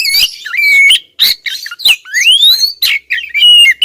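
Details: Persistent calling by a female Oriental magpie-robin directed at a male, with dense harsh chatter broken by level whistles and a drawn-out upslurred whistle near the middle.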